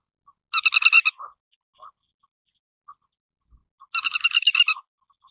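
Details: Grey-headed lapwing uttering two rapid bursts of about eight harsh, chattering notes each, separated by roughly three seconds of quiet broken by a few soft low notes.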